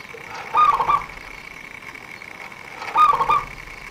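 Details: Two soft, quick warbled coo phrases about 2.4 seconds apart from a local zebra dove, a prolific singer used to lure birds for trappers. A steady thin whine is present throughout.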